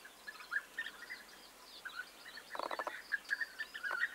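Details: Burry, purring calls of European bee-eaters recorded 29 May 2021, repeated irregularly. A brief rapid knocking rattle breaks in halfway, and several voices overlap afterwards.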